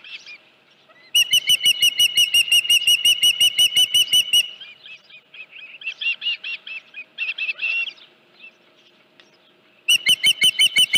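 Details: Osprey at its Dunrovin Ranch nest, 31 July 2018, morning, with a headless fish: fast bursts of piercing chirps, a pause of rougher, buzzier squeals, then the rapid whistled chirping starts again.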